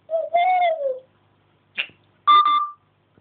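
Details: Captive African grey parrot indoors, chatting and mimicking, camera hidden on a fish tank: a clear sliding whistle lasting about a second, then a short sharp chirp and a higher steady whistled note, in a quiet room.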